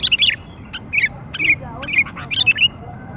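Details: Sooty-headed bulbul lure sound aimed at young birds: spaced, bright chirps with short twisting slurs, arriving about every half second.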